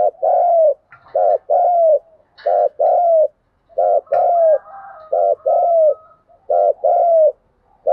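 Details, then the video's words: Spotted dove giving the thúc gù luring call used to draw wild doves: a steady series of low, mellow coos, short notes paired with longer drawn-out ones, repeated in rhythmic phrases with brief gaps. "tiếng chim cu gáy thúc gù, tiếng chim cu gáy thúc bổi về cội"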